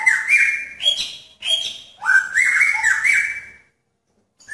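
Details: Male magpie-robin in a pairing cage attracting a female gives loud, clear whistled phrases around mid pitch, broken by harsh scratchy notes, in bursts about a second apart, then falls silent.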